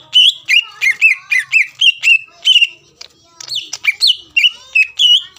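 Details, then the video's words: Energetic song of a greater green leafbird (cucak ijo), intended to trigger a rival into calling: a quick string of clear, slurred whistles, a momentary lull, then further sharp, rising and falling notes. "CUCAK IJO GACOR MEMANCING EMOSI LAWAN AGAR LANGSUNG BUNYI"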